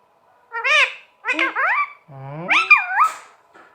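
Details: Talking green parrot kept as a pet, indoors: three harmonic, voice-like phrases with rising and falling inflections, the last one lower and drawn out, like imitated speech.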